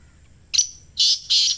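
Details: Black francolin from Islamabad, a call used to prompt kept birds to start calling: three loud, scratchy, hissing bursts, the last two longer and evenly spaced, over a quiet background.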